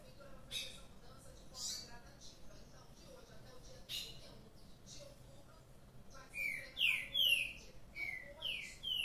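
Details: Two captive Green-winged saltators (trinca-ferro), Mickey and São Jorge, excited after waking up in the morning, give loud, clear whistled notes slurring downward in a quick burst near the end, after several seconds of rustling and clattering.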